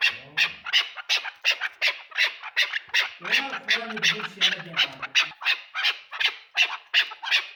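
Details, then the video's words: Chukar partridge calling in a steady series of harsh, clipped chuk notes, nearly three per second, each broad and buzzy; a low murmuring human voice runs underneath for a couple of seconds midway. "keklik sesi chakor birds chakor ki awaz"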